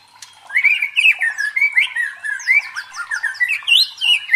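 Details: White-rumped shama song used as provocation sounds to train the fighting spirit of competition birds: a rapid run of varied whistled phrases rising and falling, steady chattering notes throughout, ending on higher sweeping whistles.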